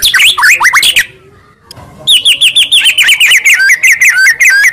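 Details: White-rumped Shama, long-tailed Medan type, in full song: rapid high chirping phrases, a short pause, then a steady run of repeated down-slurred whistles gradually dropping in pitch.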